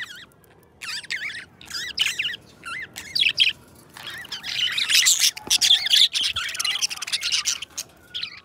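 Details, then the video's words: Pet budgerigar pair singing: quick wavering chirps that rise and fall, given in rapid trills and clusters, growing into a denser, noisier chatter toward the middle. "2 Hours of Budgies Song"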